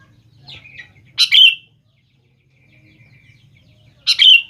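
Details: Sooty-headed bulbul used as a lure to get young birds to respond: two short, emphatic phrases about three seconds apart, each an abrupt burst sliding into a brief whistle, with a soft thin note beforehand.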